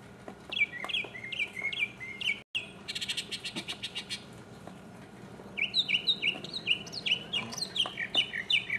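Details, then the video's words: A mockingbird sings alone in 2015, first repeating a sharp downslurred whistle about six times, then a dry, buzzy rattle, then a fresh series of rapid falling notes repeated again and again. "mockingbird Solo 2015"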